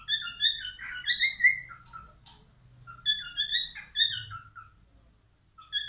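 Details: Singing male albino cockatiel: clear, melodic whistled phrases sliding up and down, a short rasping note between phrases, and gaps of quiet in an indoor setting.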